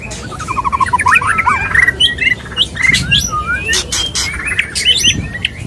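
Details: Courtship song of a male white-rumped shama toward a female, starting with quick stuttering trills, then varied whistled slurs interspersed with crisp clicks.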